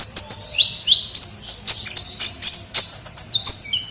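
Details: Kolibri ninja, a sunbird, on a bird-luring recording: quick series of shrill high chirps and brief falling whistles, closing with two thin lower notes.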